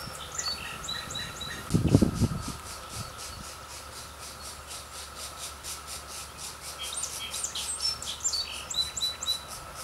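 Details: Three young pileated woodpecker chicks at the nest, with parents coming in to feed them, beg with rapid, high, scratchy chirps in uneven bursts that grow busier toward the end; a low thump near the start and a steady background hum throughout.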